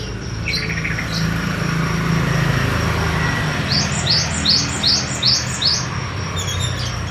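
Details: Java sparrow from Madiun sings its long rolling song, a few scattered high notes and then a quick run of sharp descending chips, evenly spaced, with a constant low rumble throughout.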